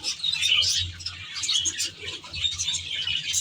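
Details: Budgerigars in an aviary built as a natural reserve: a dense, continuous mass of high chirps and warbles overlapping without pause, with a faint low pulsing hum underneath.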